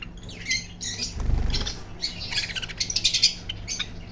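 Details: Parrot making rapid scratchy squawks and chatter, with a muffled thud early on and a low hum throughout.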